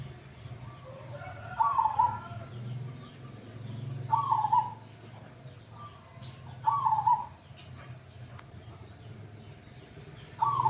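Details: Cooing song of a fairly old male zebra dove (perkutut), picked three weeks earlier for its deep voice and recorded at the buyer's house: four short rolling, trilled coo phrases about every 2.5 seconds over a steady low hum.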